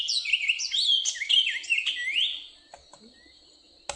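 Orchard Oriole song: a rapid, jumbled run of varied whistles and buzzy notes for about two and a half seconds, then near silence with a faint click.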